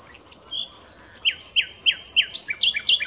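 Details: Common nightingale singing: a run of high thin notes, then a string of loud, sharp, downward-slurred phrases repeated about three times a second, growing louder toward the end.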